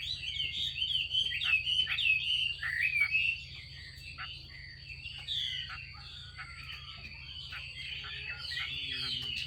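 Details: Female Chinese hwamei calling to stimulate male song: a dense burst of quick warbled whistles for about three seconds, then softer scattered notes and a final louder flurry with a low descending whistle, over a constant high tone.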